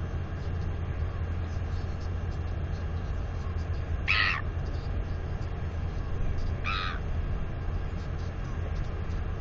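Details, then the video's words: Northern royal albatross chick, 218 days old, at the nest area during wing exercises, gives two short, bright squeals about two and a half seconds apart against a steady rumble of wind. "Wingercising & Wheeing Away!"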